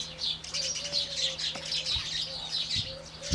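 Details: Indian house sparrows calling in the morning, a steady chatter of quick high chirps, several birds at once, over a constant low hum and a softer repeated whistle.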